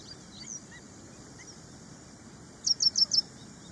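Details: Ashy prinia (prenjak india) giving one short burst of four high, sharp chirped notes in quick succession near the end, after a quiet stretch with faint background hiss and a few soft distant notes.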